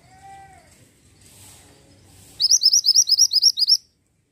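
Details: ['Pied bushchat in full song: after quiet low rumbling and a faint lower whistle, it delivers a rapid series of about eleven sharp, high, rising-then-falling whistles lasting just over a second.']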